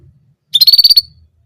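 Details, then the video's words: Orange German canary singing its one repeated phrase: a single half-second trill of about seven rapid, bright, evenly pulsed high notes, over faint low background rumble. "Orange German Canary Singing Only One Sound Of Singing"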